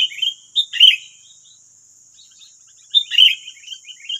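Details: Sooty-headed bulbuls, wild birds drawn to a decoy in West Lampung, Indonesia: two short bursts of bright, slurred chirps and quick squeaky notes, separated by about two seconds of near silence.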